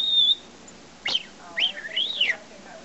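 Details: Young pet parrot, about five months old, whistling sounds learned from its owner: a short steady high tone, then a sharp falling note and a rolling up-and-down whistle, with quiet gaps between.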